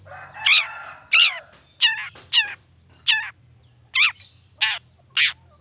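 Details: Long-tailed shrike notes meant to excite other shrikes into answering: eight harsh, grating, chattering notes, about one every two-thirds of a second, over a low background hum.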